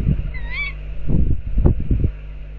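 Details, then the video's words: Tawny owl calling outside a nest box: one short, harsh, rising-then-falling call with a rich harmonic stack, followed by low thumping and rumbling noise close to the microphone. "Tawny owls outside Owl Box 2"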